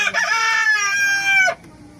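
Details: Rooster crowing while chickens and pigeons are being fed: a single loud, harsh, richly layered crow held steady for about one and a half seconds, then cut off abruptly into near quiet.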